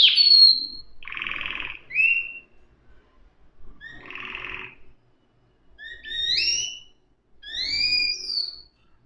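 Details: Canary giving spaced phrases: a high whistle, buzzy rattling bursts, and later pairs of bright rising whistled notes, with quiet gaps between.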